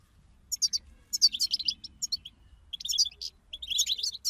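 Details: Group 'bataba' twitter of European goldfinches, played to get a silent goldfinch singing: dense, high, liquid twittering and tinkling notes in rapid clusters, with one brief quiet gap midway.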